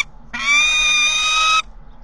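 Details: A peregrine falcon visiting a nest gives one harsh, drawn-out scream, rough and strongly harmonic, held at a steady high pitch for just over a second; nothing else is heard.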